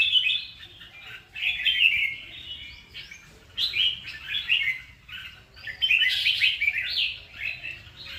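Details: Red-whiskered bulbul singing: bright, warbled whistled phrases in short bursts, some rising and falling, separated by brief pauses, with a louder, fuller phrase near the end.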